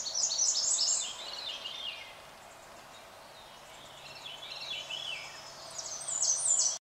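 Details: American redstart singing on its territory along the Methow Community Trail, Methow Valley, Okanogan County, Washington, on 16 June 2013: thin, high, rapid notes and then slurred descending phrases, fairly faint, over steady rural background noise, with one brief spoken remark just before.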